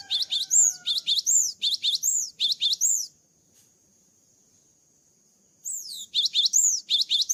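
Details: Post-moult cinereous tit in full voice, repeating high two-part phrases of a sharp note and an arched whistle about eight times, pausing nearly three seconds, then starting again.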